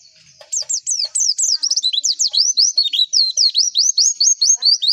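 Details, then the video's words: White-eye lure song for raising breeding drive in pleci: after a soft start, a brisk, high series of sharp chirps, first falling then rising in steep zigzag sweeps, steadily repeated about three times per second. "PANCINGAN PLECI AGAR CEPET BUKA PARUH"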